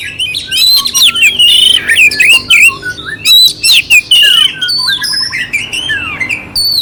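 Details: Oriental magpie-robin song, clear with rough fill-ins, played to excite a cold, unresponsive kacer; harsh squawky notes mixed with loud rising and falling whistles and clicking bursts in quick succession.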